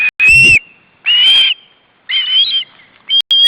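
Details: Young osprey begging at the nest as the male brings fish, August 2012; three or four drawn-out whistled notes, each level or slightly rising, spaced about a second apart.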